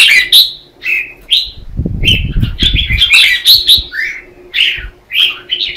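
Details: Red-whiskered bulbuls in a morning singing duel, used as lure song: quick whistled and chirped phrases, with a low rumbling rustle in the middle before the birds resume a busy stretch of notes.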